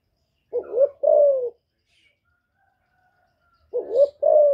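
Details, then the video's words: A female spotted dove coos in two-part phrases, a short rising note then a longer, softly falling one, repeated about three seconds later; a call used to stir newly kept male doves into cooing. "Tiếng Chim Cu MÁI GÁY kích trống mới nuôi hiệu quả,cu gáy mái hạp bổi,Cu đất mái gáy gọi kích cu nhà"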